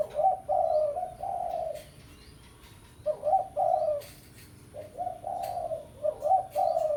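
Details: Pesom-style spotted dove lure call for a rival; repeated low, hollow coo phrases, each starting with a quick rising note and then held, sounding almost continuously, with faint clicks behind.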